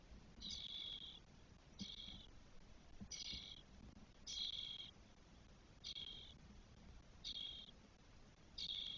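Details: Nest of spotless starling in Spain with four chicks aged 12 days, 1 June 2022. Seven hoarse, buzzy, hissed screeches come at fairly even intervals of over a second, with a faint low rumble beneath.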